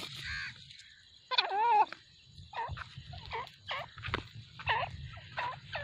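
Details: Grey francolin breeding pair, five years old, giving three broods a season: a loud wavering note, then a run of short U-shaped calls repeated about every half second, over faint low background hum.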